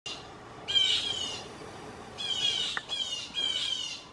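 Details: Blue jays in a backyard giving loud group false alarm calls that scare gray squirrels; four harsh, buzzy squawks with layered bands, one early and three close together near the end, over quiet background.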